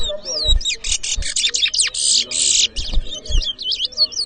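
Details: Chestnut-bellied seed finch, known locally as towa towa, competing in a whistling contest at Edinburgh Village, Guyana, in 2023: wavering high whistles broken by harsh buzzy blocks and quick down-slurred notes, with low thumps and voices.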